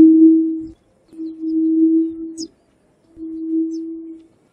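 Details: Yellow-legged buttonquail (Turnix tanki) giving a harsh, somewhat whistle-like call: three low, steady hooting notes, each about a second long, with short gaps; otherwise quiet.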